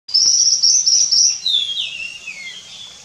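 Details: A Nilgiri blue robin singing at Kudremukh, the northern edge of its range: a thin, high, rapid chattering trill, then several clear whistled notes sliding downward, over faint background hiss.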